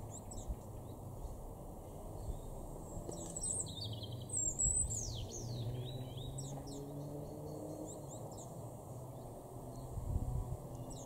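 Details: Great tit singing in a garden in Norden, East Frisia, in Germany's far northwest, April 2023; high, sharp chirps and quick downward-sweeping notes come in a burst midway, then sparser high notes, over a steady low rumble of background noise.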